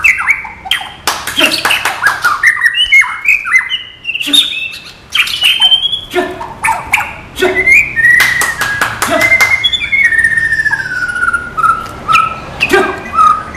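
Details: White-rumped shama in the non-puffing style, singing a long varied song of rapid clicking bursts, slurred whistles and drawn-out falling whistled notes, with brief pauses between phrases.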